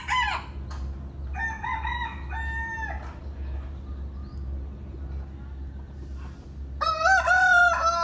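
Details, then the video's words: Roosters crow in the morning in three bursts of hoarse, drawn-out calls, the last one loud and wavering, over a steady low mechanical hum. "Rooster crowing in the morning"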